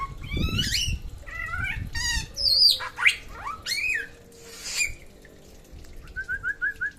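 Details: Samyong from NTB in full song, mixing harsh squawky notes, buzzy sweeps and sharp high chips, then ending with a quick series of short repeated whistles. Background noise is low.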